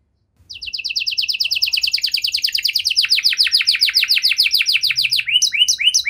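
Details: Long-duration canary song for coaxing quiet canaries back into song, starting after brief silence with a steady series of rapid descending notes that speed up into a dense rolling trill.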